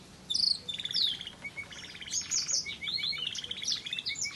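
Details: Variegated red factor canary in waterslager melody, delivering bright, high-pitched warbled phrases and quick rippling trills that flow almost without pause, against faint steady noise.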